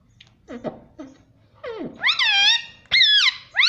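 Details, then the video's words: Talking parrot kept as a pet indoors, speaking mummy: several low, gruff, clipped syllables, then long, bright, harmonic words that rise and fall, two in quick succession near the end. "Talking parrot || Pattu Parrot Talking Mummy Mummy || Mummy Papa Bolne Wala Tota"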